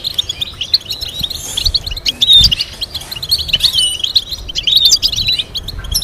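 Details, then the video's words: Goldfinch training song with complex melodies: rapid, bright twittering broken by ringing slurred notes and quick trills, delivered in bursts over a quiet background. "Teaching goldfinch to sing complex stimulating melodies"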